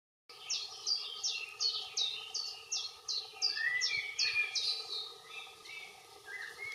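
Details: Common chiffchaff singing, with a blackbird in the background: a steady run of about a dozen short, high, downward-sliding notes, roughly two per second, while lower blackbird warbling enters midway; constant low hum beneath.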